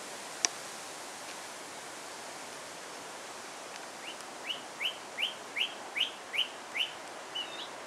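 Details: Song thrush singing in Alkmaar, Netherlands: after four quiet seconds, a short upswept whistled note repeated about eight times in quick, even succession, with a faint background hiss.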